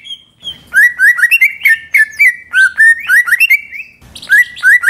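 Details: Lure song of a greater green leafbird, meant to get other birds singing: a busy stream of short, upward-flicking whistles at steady pitch, packed closely together with harsh buzzy overtones, briefly pausing before resuming.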